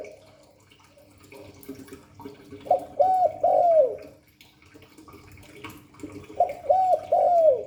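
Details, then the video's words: Calling spotted dove of the Hạp Bổi 38 voice type performing its cooing song: soft low murmurs first, then two phrases of three clear hooting coos each, the final coo of each phrase longer and sliding downward. "Tiếng chim cu gáy Giọng Hạp Bổi 38. Đủ bài THúc GÁY GỌI - GÙ HAY Kích Bổi Nhanh Nổi, Cu đất gáy"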